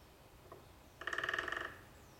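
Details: Early morning, a woodpecker, suspected to be a middle spotted woodpecker, gives one soft note and then a fast, chattering rattle of about a dozen nasal notes in under a second; otherwise quiet.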